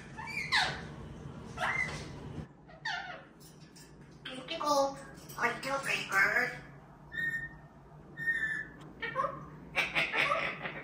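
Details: A pet talking grey parrot mimics human speech in short, word-like phrases with squawky, whistled tones, in a small indoor room.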